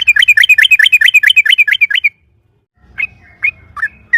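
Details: Yellow-vented bulbul lure song to set other bulbuls singing: a two-second rapid run of looping chirps, then near silence, then three scattered single notes.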